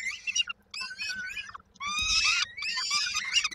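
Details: Peregrine falcon young at the Koszalin nest, Poland, 19 May 2022, call for the mother bringing food: loud grating, wavering screeches in three bursts separated by short quiet breaks.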